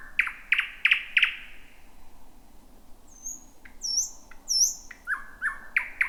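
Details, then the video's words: Thrush nightingale song at night in a jungle-like thicket, first heard of 2026: four loud hard clicking notes, a pause, then high sweeping whistles and a renewed burst of sharp repeated notes. "Whippavoo the Thrush Nightingale 2026"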